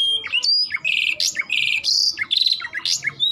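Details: Loud canary song of jumbled, high chirps and buzzy rattles, with twisting whistled notes rising and falling in quick succession and brief pauses between phrases.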